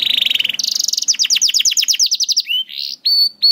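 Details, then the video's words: Canary song intended to prompt young canaries to sing: a buzzy low trill, then a long rhythmic series of rapid descending notes, finishing with a few separate rising whistles. "MASTERAN KENARI AMPUH UNTUK KENARI PAUD DAN SUSAH BUNYI"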